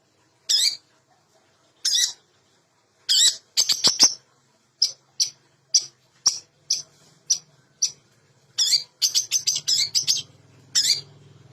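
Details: Lure song of a long-tailed shrike to coax silent shrikes to sing: sparse, sharp, high clicks and rasps, some in quick clusters, spaced by silent gaps, with a low hum near the end.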